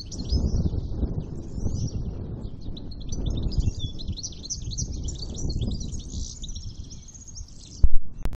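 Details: Unmated male European goldfinch in breeding condition, a campero bird, pours out a sustained rippling stream of bright, high chirps and buzzy trills, ending with loud knocking thumps over low background rumble.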